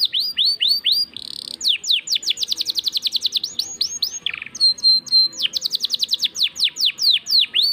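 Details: Domestic canary in full gacor song, 'cengkok mewah' variation: quick falling chips, a buzzy burst, rapid rolling trills and a brief steady whistle. Phrases change every second or two.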